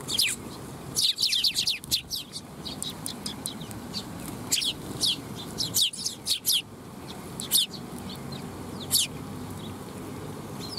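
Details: Eurasian tree sparrows waiting to be fed at a Tenmangu shrine, 12 July 2021. A lively run of quick, high chirps opens the scene, followed by sparser single and paired chirps over steady low ambient rumble.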